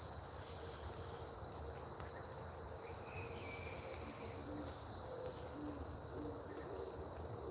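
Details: Great horned owls, at least two and possibly four, call near their roost in foggy, dank woods with many dead trees; deep, soft hoots faintly mid-clip over a steady high chorus of night insects, one sounding very large.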